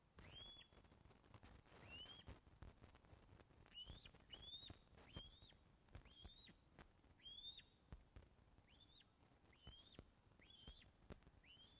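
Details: During a fish delivery at the Loch of the Lowes osprey nest, filmed by webcam on the afternoon of 24 August 2012, an osprey gives a long series of ringing, slurred whistles in pairs and runs, with low background rumble.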